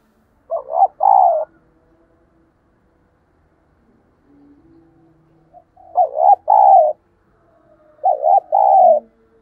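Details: Spotted dove used as a lure to call other doves: three loud coo phrases, each stuttered hoots followed by a longer note, spaced several seconds apart with faint soft notes between.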